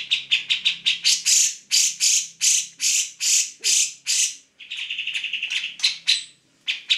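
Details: Grey-cheeked bulbul in full song for tutoring songbirds: a quick chatter opens into loud, harsh, spaced notes about twice a second, then a rapid rattling passage; a low hum runs underneath.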